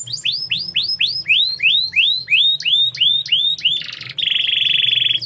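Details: Canary song made of a rapid run of repeated sweeping whistles, about three per second, followed by a brief buzzy burst and a long, even, high rolling trill; steady low hum in the background.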